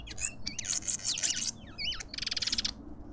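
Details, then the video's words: Lovebirds visiting a garden feeder in suburban Pretoria, South Africa, giving shrill rasping squawks and short looping whistled notes, ending in a rapid stuttering buzzy burst. "Lovebirds endlessly"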